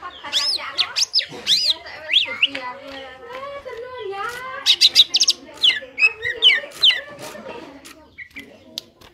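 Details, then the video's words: Greater green leafbird in full ngentrok song, used as a master recording for training birds. Fast arching whistles swoop up and down over a continuous low warble, with clusters of loud, rapid high notes through the middle and later. "CUCAK IJO GACOR NGENTROK"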